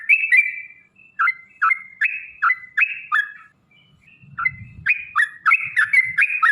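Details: Yellow-vented bulbul delivering a long rapid 'ropel' song as a lure for other bulbuls: spaced, bubbly rising-and-falling whistles that speed up into a dense run after a short pause, with some low muffled noise.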